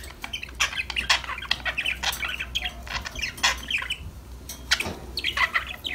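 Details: Pet budgerigars playing, singing and talking to each other: dense overlapping chirps and scratchy warbled notes, rapid bursts with short gaps throughout, plus a steady low hum in the background.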